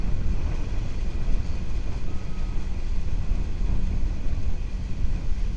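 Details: Steady low rumble of traffic or wind noise fills the recording, with no animal calls.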